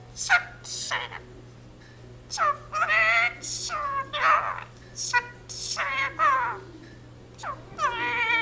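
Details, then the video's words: Pet Indian ringneck parakeet living with a family, speaking the Punjabi jaikara phrase "jo bole so nihaal sat sri akal": a run of short, nasal, voice-like syllables in uneven bursts, with pauses between phrases. "talking parrot jaikara indian ringneck speaks in punjabi"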